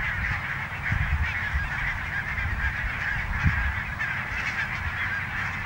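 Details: Barnacle geese, a flock at Niittylahti, Savonlinna, Finland, on 5 October 2017: a dense, continuous chorus of overlapping high, yapping honks from many birds, with low rumbling wind or handling noise throughout.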